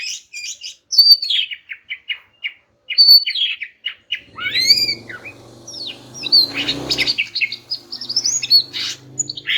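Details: Greater green leafbird song played to prompt silent males to sing: varied loud whistled and chattering phrases, quick rising and falling notes in bursts, with a harsher noisy passage midway and low background hum.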